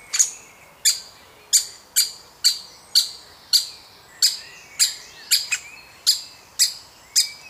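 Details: Woodpecker chick being fed in a wild family: steady, shrill, buzzy high chirps about twice a second, some paired closely, with faint rising whistles in the background.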